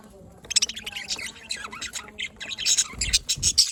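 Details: Budgerigars chirping: dense bursts of high scratchy chirps and squeaky warbled notes, growing busier toward the end, with some low thumps beneath.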